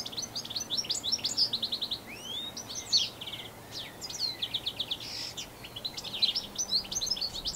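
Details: European goldfinch, an introduced finch in New Zealand, singing a long, elaborate, canary-like song: rapid tinkling trills and twittering phrases, with repeated high notes and quick buzzy runs, continuous throughout with faint low background hum.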